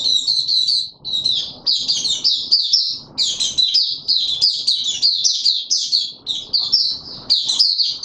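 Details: White-eye kept in a cage, pushed on form, sings an almost continuous stream of rapid high chattering notes in closely packed bursts, with soft low background noise.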